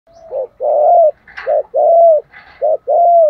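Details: Spotted dove giving a calling coo, the full song: each phrase a short low note followed by a longer, sustained mellow coo, repeated three times at an even rhythm in a quiet setting.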